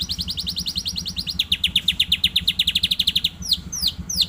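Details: Young canary just learning to sing, a fast trill of high, rapidly repeated notes that changes pace midway, then a few separate downslurred whistles, with a steady low hum beneath.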